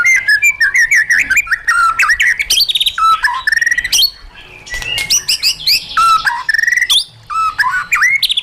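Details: White-rumped shama song in a wild style, used to train caged birds. Rich, fast phrases of sweet whistles, sharp upslurs and buzzy high notes pour out almost without pause, with only a brief quieter gap midway.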